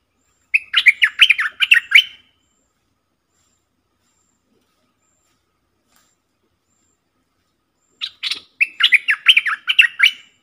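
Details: Bulbul decoy calls from one of four birds used as lures, recorded in the forest: two bursts of fast, gurgling chatter about eight seconds apart, each roughly a second and a half long, with silence between them.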